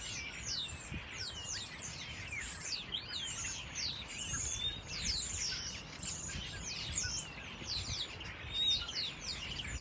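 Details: Starlings sing on Whitchurch Green, a field in South Bristol, in December 2021: a dense chorus of overlapping slurred whistles, rising and falling, mixed with clicks and chatter, running without pause over a low background rumble.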